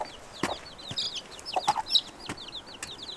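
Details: Hen leading five chicks outdoors to search for food; rapid high, thin descending peeps from the chicks fill the clip, with a few short, low clucks and sharp clicks from the foraging hen.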